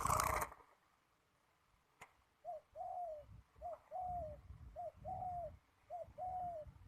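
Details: Young male spotted dove used in ground decoy trapping on a strong-wind day. A loud handling thump comes first, then soft, low, paired coos: a short note followed by a longer slurred one, repeated four times.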